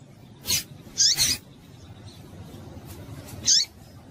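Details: Female double-collared seedeater calls, used to stimulate males to sing: short sharp chirps with a falling whistled tail, given singly and as a quick pair, about four notes in all over a faint hiss.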